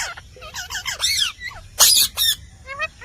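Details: Indian parrot talking, heard as a run of harsh, nasal squawks and raspy chatter with bent, warbling tones, ending in two loud screechy bursts and a few short rising chirps.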